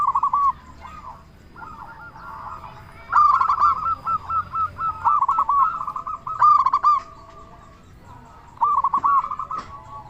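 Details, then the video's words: Local zebra dove, a big-voiced persistent singer used to make other doves answer. Rapid bubbling coo series come in clustered bursts, one lasting nearly two seconds, with quieter cooing and short pauses between them. "Perkutut Lokal Gacor Suara Besar Pancingan Burung Perkutut Bikin Langsung Nyaut"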